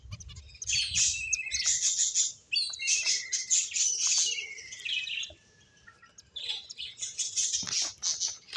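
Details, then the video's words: Playing finches keep up fast, high-pitched chirping, with short notes packed several per second into busy runs and a quieter pause near the middle before the chatter resumes. "Cute Birds Chirping Sounds | Beautiful Finches Playing"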